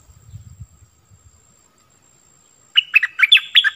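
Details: Bulbul kept as a decoy to lure wild birds, 16 March 2021: soft low knocking and rustling noises first, then after a pause a lively run of chattering, warbled notes.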